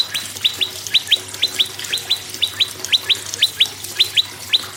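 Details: Prinia song used to encourage other birds to sing: regular pairs of high, sharply rising chirps repeated about twice a second throughout.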